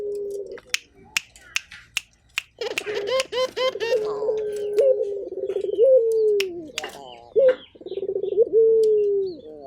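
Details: Turtle dove, local Indonesian puter: sharp clicks and tapping at first, then low stuttering rolls and drawn-out falling coos with upturned endings, repeated back to back.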